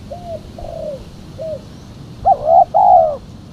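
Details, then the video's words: Female spotted dove calling, a sound used to lure other doves: three soft separate coos, then a louder, fuller pair of rolling, hooting notes near the end, over quiet background hum. "Suara burung tekukur betina /pikat tekukur betina"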